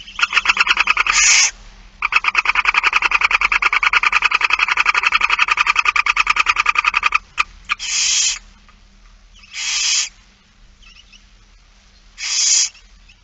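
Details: Barn owl feeding, recorded 8 September 2019 at 16:02. A long, rapid run of dry ticking pulses lasts about five seconds and is followed by three separate drawn-out rasping hisses.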